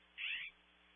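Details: A California scrub jay outside a nest cavity at Audubon Starr Ranch, California, gives one harsh, rasping note lasting about a third of a second, fairly high-pitched, against a quiet background.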